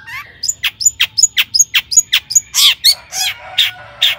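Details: Long-tailed shrike delivering a lively lure song meant to make other shrikes sing: rapid downward-swept chips interleaved with thin high whistles, then broad harsh rasping notes.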